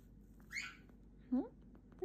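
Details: Pet galah indoors in summer, upset by a fly that got in: one harsh, rasping screech, then two short, low, rising voice-like or mimicked notes, with a person talking nearby.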